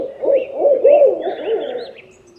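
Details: Owl giving a wavering run of mid-pitched hooting notes that rise and fall, slightly quavering, then fade toward the end.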